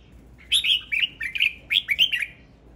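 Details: Male red-whiskered bulbul singing: a quick run of about eight bright, warbled notes with sharp rising and falling turns, delivered in two tight bursts over a quiet background.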